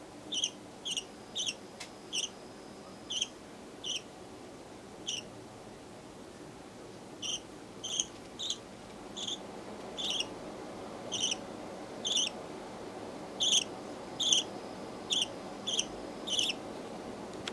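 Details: A pet budgerigar chick about one month old, born 18 September, gives short, high chirps in loose, uneven series over a low background hum.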